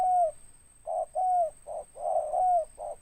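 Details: Local spotted dove with a big voice, singing in the ngeruk style with its closing tindan note: low mellow coos, a drawn-out sliding note alternating with short blocky hoots, repeated about once a second over a faint steady high whine.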